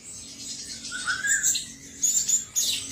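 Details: Song of a male cucak cungkok: a short falling whistled note, then sharp high chirps in quick clusters, with pauses between the bursts.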